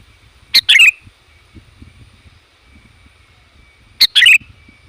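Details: Loud, varied sooty-headed bulbul calling meant to attract wild bulbuls. A crisp single note leads into a quick descending chatter, repeated twice roughly three and a half seconds apart over a faint steady hum.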